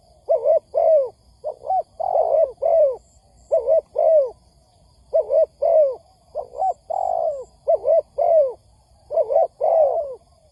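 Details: Spotted dove calls played as a trapping lure: dense run of soft, hollow coos, paired and tripled, slightly descending at the end of each phrase, with brief high twitters faintly behind.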